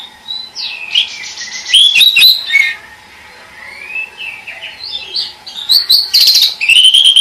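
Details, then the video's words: Pied bush chat song with varied, rapid phrases of clear high whistles, buzzy trills and sharp up-slurred notes, loud bursts alternating with softer pauses, in a quiet setting. "SUARA BURUNG DECU KEMBANG"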